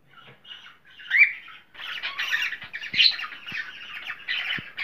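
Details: Cockatiel sound meant to stimulate mating: harsh, raspy squawks and chattering notes in uneven bursts, starting with a few soft calls and building to louder grating phrases punctuated by sharp clicks.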